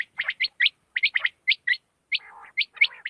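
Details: Quail night-time call of the kind used for hunting, given as quick, sharp, rising chirped notes in short clusters of two or three, with a low, gargling rattle between some of the phrases.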